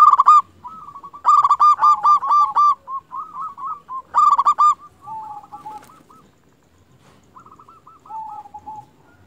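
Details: Lure song of a vocal local zebra dove meant to get other zebra doves calling back; three loud stuttering bursts of quick coos, each followed by gentler repeated soft notes and a lower closing phrase.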